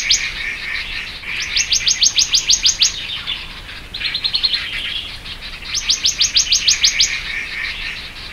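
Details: Black-naped monarch of the oberholseri subspecies, repeating quick volleys of sharp, high, evenly spaced notes. A lower, softer phrase sits between the two main volleys, over light background hiss.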